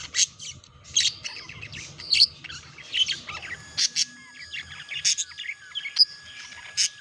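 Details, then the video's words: Courting budgerigars during mating, kept as pets, producing quick chirps and squeaky chatter in short bursts, about one loud note every second, with buzzy trills and a steady faint hum beneath. "Passionate Budgies: The Mesmerizing World of Budgie Mating Revealed!"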